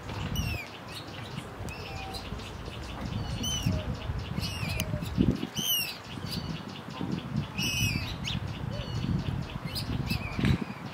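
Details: Common moorhen (Gallinula chloropus) in Tivoli landscape park, Ljubljana, Slovenia, 11 September 2023: sharp, clipped calls every second or two, over steady low rumbling background noise and some fainter chirps.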